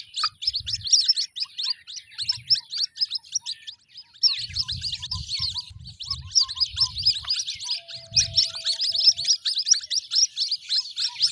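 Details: Several white-breasted waterhen chicks keep up a continuous high chattering of sharp squeaky peeps, many overlapping in quick succession, with bursts of low rumbling handling noise at intervals.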